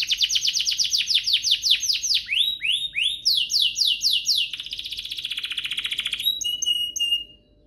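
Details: Canary singing as a lure for other canaries: rapid run of loud descending whistles, rising curved notes, a long fast trill, then brief high pure tones before silence.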